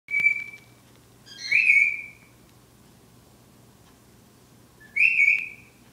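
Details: Two shy pet cockatiels singing: a steady whistle followed by two bright, warbling whistled phrases.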